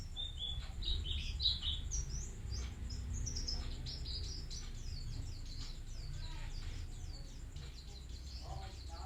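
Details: Vigorous song of a bustomi-type white-eye. Thin, sharp, high twitters tumble out continuously in short, uneven runs above a constant low background hum.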